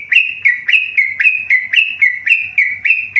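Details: Tame yellow-vented bulbul giving rapid, evenly spaced whistled notes, each beginning with a sharp upward flick and then holding level, roughly a dozen in about three seconds.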